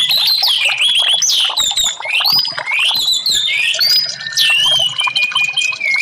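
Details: Orange-headed thrush song played as therapy to get silent caged birds singing: loud, clear whistled phrases sliding up and down, bright overlapping notes with quick chirps underneath, running continuously without pause.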